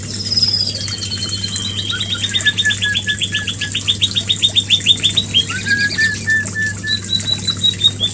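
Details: White-rumped shama mating call to bring a female into breeding condition: a long rapid trill of repeated falling notes, about four per second and slowly dropping in pitch, then a few clear whistles, over a steady low hum.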